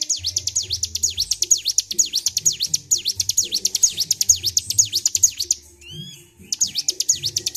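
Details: Agitated Bar-winged prinia calling nonstop: rapid series of high, sharp V-shaped notes, about two per second, with a short pause holding a couple of curved chirps from another bird, over low rumbling background.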